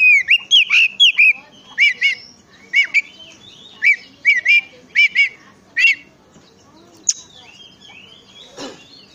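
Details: Oriental magpie-robin song meant to provoke other magpie-robins into singing: a steady run of short bright whistled phrases spaced about half a second apart, fading to softer notes and one sharp call.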